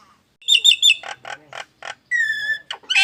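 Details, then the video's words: Nias hill myna giving odd, alarm-like sounds: a few high squeaky notes, then harsh rasping bursts and one long steady whistle. "JALAK NIAS BERSUARA ANEH TAPI NYATA!!! ALARAM ANTI MALING"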